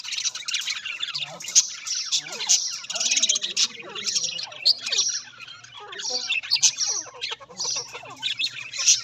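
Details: Budgies, Australian parrots, keep up a continuous busy chatter of warbled twitters and sharp chirps, with short bright squeaks popping out every second or so above the mass of voices.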